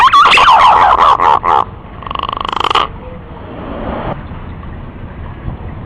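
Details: Green pigeon call used as a hunting lure: a rapid run of wavering, whistled notes, then a brief buzzy steady tone and fading hiss.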